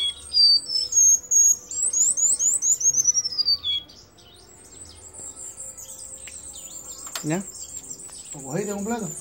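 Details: A caged Cuban bullfinch, trained to sing perched on the hand, sings a fast run of high, sweet whistled notes that fall in pitch over about four seconds, then a thin high trill and brief human sounds.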